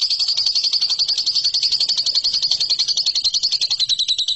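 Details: Lovebird song used to train competition birds, a long unbroken high-pitched trill of rapid rattling notes, about four per second, steady in pitch.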